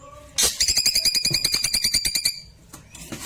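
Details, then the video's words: Klewer, played as a model song for white-rumped shamas: a loud burst opening into about two seconds of quick, metallic, buzzy notes repeated several times a second, then quieter chips. "Burung Klewer tembakan mantap cocok buat masteran murai batu"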